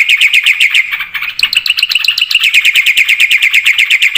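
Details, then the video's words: Black-winged starling singing energetically. A rapid, continuous chatter of ringing, metallic notes with a short break near the first second, then resuming at an even, fast pulse. "suara burung jalak putih gacor full isian"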